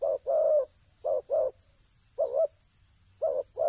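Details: Paired low coos from a spotted dove in a ground decoy context: a short note and a longer purring coo, repeated roughly every second, with a quiet hum behind.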